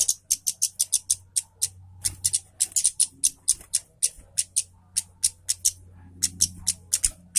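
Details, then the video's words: Orange-headed thrush in full lively song, used to prompt other birds to sing: steady series of crisp high chips, about four per second, over a faint low hum. "KEMADE KEPALA MERAH GACOR MEWAH"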